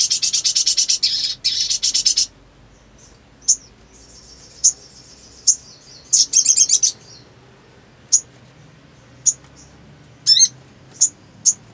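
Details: Black sunbird giving a long run of rapid buzzy trills for about two seconds, then thin high chips at roughly one-second intervals, another stuttering buzz, and a quick twittering phrase.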